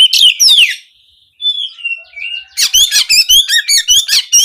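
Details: Oriental magpie-robin with canary-like 'nembak' song used to encourage singing: a sweeping whistled phrase, a few soft drawn notes, then a rhythmic series of about ten quick bright chirps.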